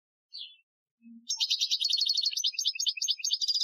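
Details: Algerian-style European goldfinch song for training, from 2015: a lone chirp and a low soft note, then a continuous rapid, jingling high trill of repeated notes running to the end.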